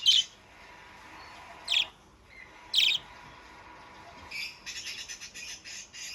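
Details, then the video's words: Budgerigar giving three loud sharp chirps spaced more than a second apart, then a fast buzzy scratchy chattering run at the end. "Burung Parkit Sudah Mulai Gacor!!!"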